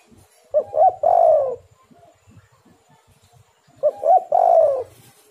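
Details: Spotted dove song used as a lure to prompt doves to call: two phrases about three seconds apart, each a pair of short low coos followed by a longer, fuller, hollow coo.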